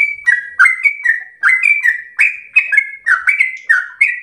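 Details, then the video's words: House-kept sooty-headed bulbul delivering a slow, lively training song: mellow whistled notes alternating between level and downward-sliding shapes, in a steady stream of about three per second, clear and close with no background noise. "trucukan SUPER GACOR ROPEL SLOW terbaik untuk masteran trucuk rumahan"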